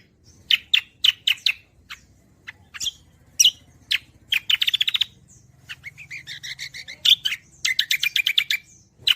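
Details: Cucak kombo in energetic gacoran song. Loud separate sharp notes lead into rapid rattled trills, then warbled chattering phrases and a final burst of fast chirps.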